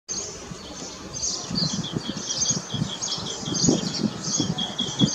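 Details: Asian green bee-eater eating an insect in Delhi during lockdown. It gives thin, high chirping notes repeated in quick series, over a steady low rumble of background noise.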